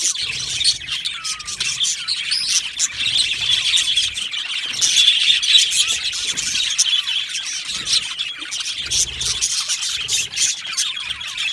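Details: Many budgerigars in a colony aviary twittering nonstop: a steady wash of high, chattering warbles with scattered sharper chirps and squeaks, swelling in the middle.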